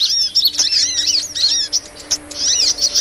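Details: Sunbird lure sound used for trapping small birds: dense, high, thin chirps with quick rising and falling sweeps, some echoed by a fainter lower note, in busy bursts over a steady faint hum.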